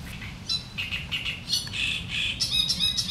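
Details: Great reed warbler singing its sharp chattering song in the reeds: harsh, grating syllables repeated rapidly and unevenly, some notes squeakier and higher. A low background rumble runs throughout.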